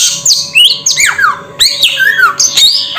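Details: Samyong bird with bold, loud whistles, several bending sharply downward in pitch and a few rising, delivered in quick irregular bursts against a faint background hum.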